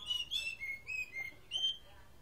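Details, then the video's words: Strange-sounding song from an Oriental magpie-robin: a slow sequence of pure, level whistled notes stepping down in pitch, then a higher closing whistle, against soft low background noise. "Murai kampung suara aneh"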